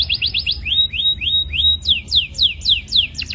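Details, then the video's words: Vigorous canary song compiled as a tutor recording for young canaries: a quick buzzy trill of short notes, then rising whistled slurs repeated about four times a second, and finally falling sweeps in a steady series. "KUMPULAN SUARA BURUNG KENARI GACOR (MASTERAN KENARI ANAKAN)"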